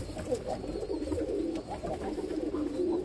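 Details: Low, rolling pigeon coos near an ash-coloured baby pigeon, continuous and layered, with faint knocks in the background.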